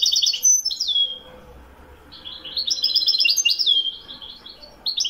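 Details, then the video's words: A European goldfinch in Morocco, recorded in 2021, sings rapid, tinkling, high twitters with buzzy trills and sliding notes in two bursts separated by a short pause. "le meilleur chant du chardonneret"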